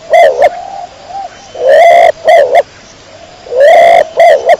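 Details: Domestic pigeon of the kecor type cooing clearly: paired short notes, soft low coos, then two full phrases of a long swelling coo and clipped follow-up notes.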